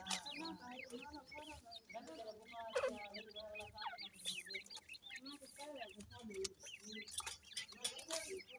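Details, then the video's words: A brood of francolin chicks, called Irani teetar, keeps up a dense, continuous chorus of rapid high peeps, with lower clucking notes and scattered knocks mixed in. "teetar chicks sound"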